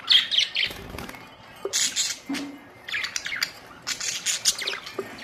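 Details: Budgerigars recorded April 19, 2023, giving dense, noisy high chattering and squeaky chirps in quick overlapping bursts, nearly continuous throughout.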